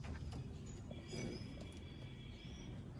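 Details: Low rumbling vehicle or train noise with faint clatter, and no clear animal voice. Only a steady mechanical drone and a few faint tonal squeals are heard.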